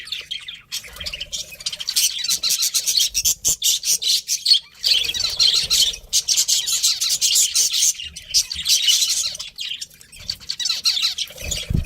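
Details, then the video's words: Breeding pair of pet budgies chattering steadily, rapid harsh chirps and rasping squawks packed closely together, with a few short quiet breaks and faint low thumps. "cute budgies chirping sounds"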